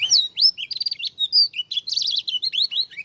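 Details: Lombok dakun Oriental white-eye singing a strange-sounding song: a loud, continuous, fast warble of high whistled slurs, trills and buzzy chatter, rising and falling without pause, against a silent background.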